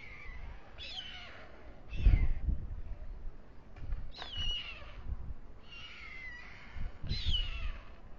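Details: White storks at a nest on the town hall tower in Alcalá de Henares, the male feeding two chicks at dusk. Four hoarse, hissing bursts carry thin descending whistled tones, spaced about two seconds apart, with low rumbling thumps between them.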